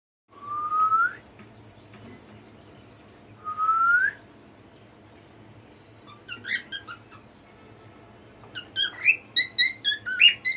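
A cockatiel whistles two clear rising notes, then breaks into quick chirpy, warbling phrases.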